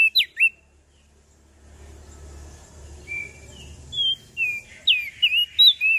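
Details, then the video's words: Lombok prenjak daun sings: two sharp falling chirps, a quiet pause with faint murmur, then a rising series of high whistled slurs and steep downstrokes. "Burung Prenjak Daun Lombok Gacor Full Isian"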